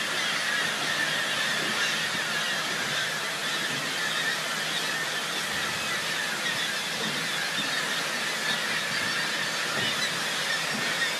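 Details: Thousands of black-legged kittiwakes at a crowded colony near Whittier, Alaska, call together in a dense, unbroken din, harsh nasal cries overlapping into a steady roar with no pauses.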